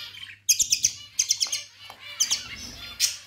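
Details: Pet budgerigars chirping: bursts of sharp, high chirps in quick runs of four or five notes, separated by short pauses, over a faint low electrical hum.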